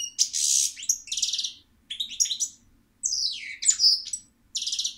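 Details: Loud, close European goldfinch song: buzzy rattled notes and tinkling chirps alternating with a downslurred whistle, in several rapid bursts with short silences.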